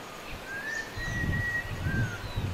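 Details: Kerala Laughingthrush in the Western Ghats hills of southern India giving a long, clear, level whistle that slurs slightly upward, then a shorter whistle, over low rumbling wind or handling noise.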